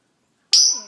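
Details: A 14-year-old pet African grey parrot gives a sudden, very loud, shrill whistle after silence. It starts piercingly high, then fades while lower tones slide downward.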